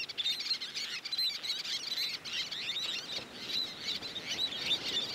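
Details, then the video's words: Crowded Least Tern colony on the beach, many birds at once producing sharp squeaky high notes and trills in constant overlapping chatter. "Hectic Life in the Least Tern Colony - Baby, Juveniles, and Adults"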